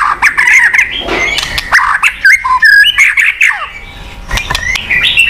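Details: White-rumped shama song for prompting a silent bird: dense scratchy warbled notes mixed with short whistles and a brief clear slurred phrase, fading into softer chatter.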